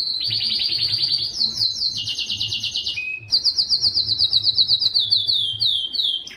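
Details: Yellow canary singing: long rolling trills of rapid repeated high notes, switching between pitch levels, with a brief low whistle midway and a fast pulsing tour to finish.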